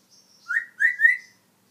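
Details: Talking African grey parrot kept as a pet, one of its vocal imitations: a loud, clear whistled phrase of two rising notes, the second drawn out and sliding upward, in a quiet room.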